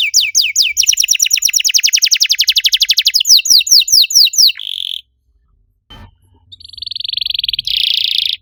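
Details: Canary master song, played to coax other canaries that have stopped singing into song: very fast rolling trills of sweeping high notes, then a steady buzzy rattle, a short pause, and another quick trill running into a dense buzzy roll.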